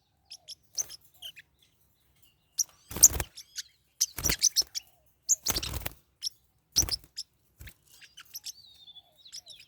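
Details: Forpus parrotlets kept as pets, fighting: scattered high squeaky chirps broken by repeated loud noisy bursts of scuffling, about one every second or two, with a thin whistled note near the end.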